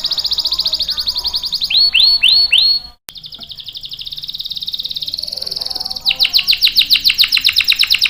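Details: Canary song meant to lure and train young males, opening with a fast trill, then three swooping upslurred whistles, a pause, a long even rolling trill and a loud run of rapid descending notes.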